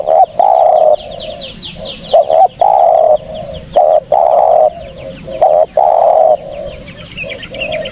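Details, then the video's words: Spotted dove cooing, a clear recording meant as a lure for catching birds: a steady series of hollow, low coo notes in paired and longer units, with faint high chirps of other birds behind. "SUARA BURUNG TEKUKUR BERSIH JERNIH, cocok buat pancingan / pikat"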